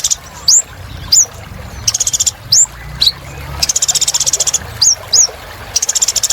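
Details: A purple-throated sunbird sings in full voice. Thin rising whistles are broken up by long, dense buzzing trills.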